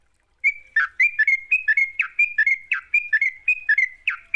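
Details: Lively Sooty-headed bulbul song used to coax a reluctant bulbul into singing: a brisk run of short whistled notes with quick downward flicks, roughly three a second after a short silent lead-in.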